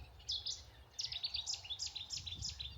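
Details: Eurasian reed warbler singing in reeds at Lodmoor, Dorset, in early spring: a steady, rather throaty chatter of quick, high, scratchy notes in an unbroken run over a low rumble of background noise.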